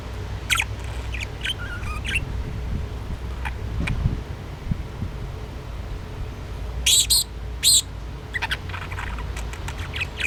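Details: A pet budgerigar playing with a homemade toy gives scattered short, sharp chirps with a brief burst of brighter, harmonic squeaks midway, over a steady low indoor hum and occasional clicks.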